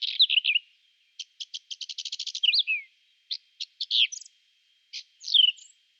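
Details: A whinchat singing in spring, April 2020, gives short, varied phrases: scratchy warbles, a fast run of about a dozen ticking notes, and high chattering bursts with brief pauses between.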